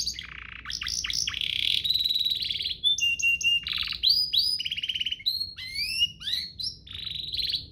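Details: Canary song meant for tutoring young canaries and prompting others to sing. A varied, loud run of phrases: buzzy rolls, a held steady whistle, rapid pulsed trills, and clusters of bright rising and falling sweeps, nearly continuous.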